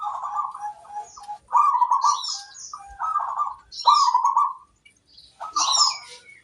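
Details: Female zebra dove calling in the wild, a series of soft rolling notes in phrases about a second long with short pauses between them, and thin higher chirps from other birds over the top.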